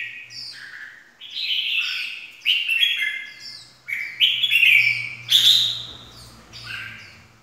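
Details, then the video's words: 'Ché' style song of a red-whiskered bulbul, used to excite other birds of its kind: repeated bubbly whistles stepping up and down, with a faint low hum beneath during the second half. "kích chào mào ché"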